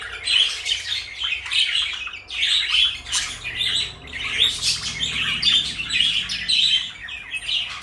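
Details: Pet parakeets, a blue bird and a light yellow one, chatter in dense, rapid high twitters and scratchy warbles with little pause, some louder harsh notes standing out above a faint low hum.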